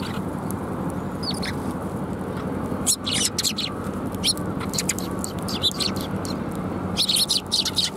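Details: Sparrows arriving for food at a Tenmangu shrine, 28 January 2021, give scattered high chirps, then dense clusters of overlapping tweets against constant low traffic hum.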